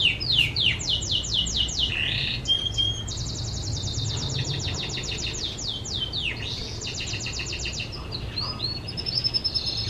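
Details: Singing canary used for training other birds: a run of sharp descending sweeps, then long rolling trills of quick repeated notes at high pitch, with shifts between tours and a faint low hum beneath.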